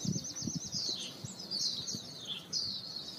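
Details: A yellow-rumped flycatcher recorded in Bogor gives a fast, high twittering phrase of quick repeated notes that slide downward, followed by further warbled runs. Low dull knocks are heard underneath.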